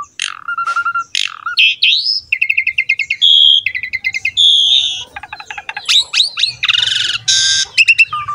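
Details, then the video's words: Asian pied starling (jalak suren) singing vigorously in the gacor style, a masteran recording meant to draw young, lazy or wild starlings into song: a rapid, varied stream of clear whistles, fast clicking trills, rising slurred notes and harsh buzzy bursts, loud and close. "MASTERAN BURUNG JALAK SUREN GACOR ISTIMEWA"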